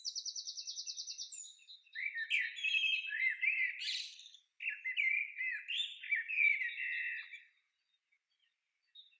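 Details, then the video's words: A Common Blackbird sings two warbled phrases of several seconds each, ending in thin high twitters, at a carp-fishing lake on an overnight trip. A rapid, high, even trill of another bird comes before them. "I loved that Blackbird singing"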